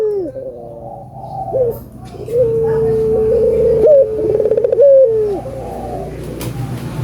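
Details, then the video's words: Albino collared dove singing to get other doves calling: a long, steady humming coo, then a fast throbbing trill and a falling note. Softer overlapping coos and a low background rumble are also heard. "Suara Burung Puter Gacor ,merangsang burung puter agar bunyi"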